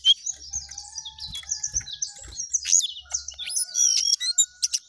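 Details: Jongkangan singing busily in an up-and-down style: a fast stream of high, sweet chirps and short whistled slurs, with some notes rising and others falling. Faint thin tones sit lower in the background.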